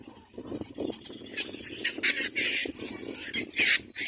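Little black cormorant chicks give harsh, hissing squeals in short bursts, several in quick succession as they are fed, over a low rural background.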